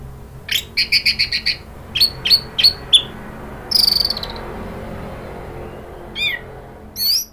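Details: Orange-headed thrush from Indonesia in a provoking lure track meant to agitate a bird: a fast train of sharp high notes, then several spaced single chips, a buzzy burst and two quick rising slurs.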